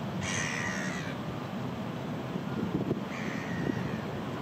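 A gull gives two harsh, drawn-out nasal calls about three seconds apart, each lasting under a second, over a steady low rumble of wind or distant traffic.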